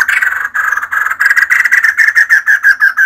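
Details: Female white-crested laughingthrush, a kept bird, in full song: a continuous stream of loud, rhythmic, slightly ringing notes, about three per second at first and speeding up toward the end.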